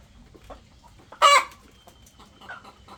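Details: A chicken gives one loud, harsh squawk lasting a fraction of a second, followed by a few softer clucks, with a faint hum behind.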